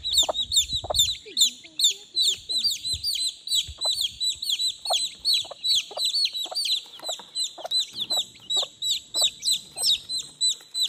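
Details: Chicken chicks peeping continuously to call their mother, a dense stream of shrill descending cheeps, while a deeper cluck sounds roughly twice a second throughout.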